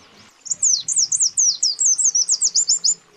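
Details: Male and female white-eyes calling to a rival, a lure sound for birds in the wild: one unbroken string of roughly fifteen rapid, high, twisting notes lasting over two seconds.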